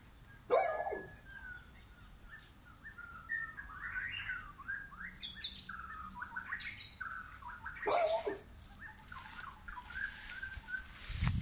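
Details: White-rumped shama song from a backyard forest where wild and caged birds gather: varied short whistled and warbled phrases at mid pitch, broken by loud barks at the start and near the middle, with a hissy rush toward the end.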